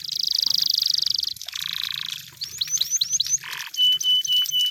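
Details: Canary singing in the wild: a long, fast buzzing trill, then a lower rolling trill, a run of quick upward-swept whistles, a brief harsh note, and a thin steady whistle broken into short pieces.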